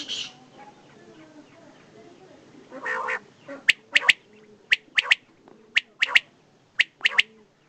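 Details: Desi batair, a common quail, male and female: after a couple of hoarse, buzzy notes, clear sharp three-note calls repeat roughly every second.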